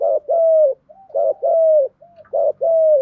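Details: Decoy spotted dove cooing in the standard urging pattern to lure wild doves; three rapid, tightly spaced phrases of a brief lead note and a longer steady, slightly falling coo, with a faint low hum beneath.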